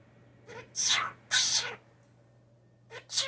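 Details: Hand-raised young blue jay that fell from its nest, imitating a sneeze among its mimicked sounds: harsh, broad hissing bursts, two long ones close together, then two shorter ones near the end, in a quiet room.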